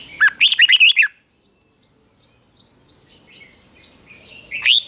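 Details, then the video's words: Red-whiskered bulbul singing at morning training as a competition-style song, delivering one quick phrase of about six warbled, rising and falling notes, then near silence with faint distant chirps, and a final sharp rising note. "Luyện chào mào hót sáng | chào mào hót đấu"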